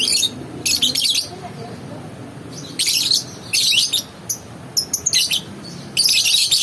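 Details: Lovebird giving shrill, harsh, very high-pitched chattering bursts, about six bursts of half a second to a second each across seven seconds, separated by short quiet gaps over a faint low background murmur.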